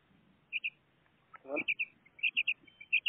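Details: A pet female common quail gives short, high, clipped notes in quick pairs and triplets, with a brief rustling thump partway through.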